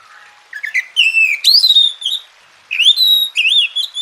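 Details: Oriental magpie-robin song used as tutor and therapy audio to get a lazy, quiet bird singing vigorously: soft rising notes, then loud clear whistled phrases with sharp upward sweeps, the phrase returning after a brief pause.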